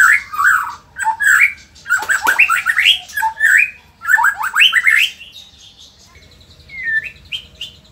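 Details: Indonesian white-rumped shama delivering bursts of fast rising whistled notes, several quick flurries separated by short pauses, then softer higher whistles and faint twitters.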